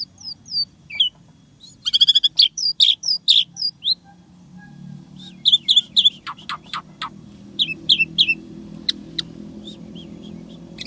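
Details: Asian pied starling (Jalak Suren) in full isian tembakan song, a new creation of unique fill-in sounds. Short sweeping whistles and quick clicky bursts come in loose runs over a low steady background hum.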